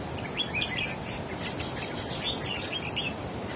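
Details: Red-whiskered bulbul, a wild-caught bird, in a singing contest with a rival: quick chirpy whistled notes strung into rapid lively phrases almost without pause, with constant hiss behind.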